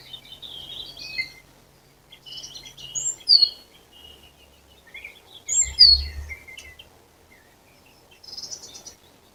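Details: Birds singing in April, bright high twittering phrases with sharp whistled notes in short bursts a few seconds apart, a low thump in the middle.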